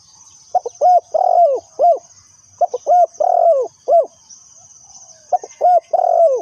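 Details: Spotted dove serving as a trapping lure, cooing repeatedly. Short, sharp notes run into sustained, descending coos in several bursts a few seconds apart. A high insect hum continues in the background.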